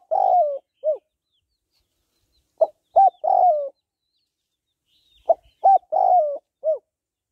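Spotted dove cooing in phrases about three seconds apart: quick soft notes, a drawn-out slightly falling coo, then a short closing note.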